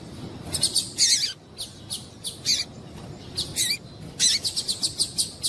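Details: Female double-collared seedeater calling to stimulate a male: dense, rapid, high-pitched chirps and short trills in bursts, some harsher, ending in a fast series of clipped notes.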